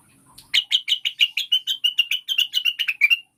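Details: Cucak wilis (rengganis) lure song to spur caged birds into singing: about fifteen sharp, sweet chirps in a quick, slightly uneven run lasting under three seconds, with faint ticking before it.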